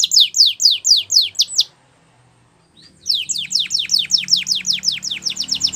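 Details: Canary training song: repeated sharp down-slurred whistles, a second of silence, then a longer fast series of similar slurred notes with a faint hum underneath.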